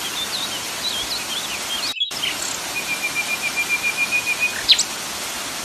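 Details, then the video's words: Common nightingale with a waterfall rushing behind: brief chattering notes, a short gap, then a sustained series of pulsed whistles on one pitch swelling in loudness, ending with a sharp high note. "kompilasi suara air terjun common nightiangle"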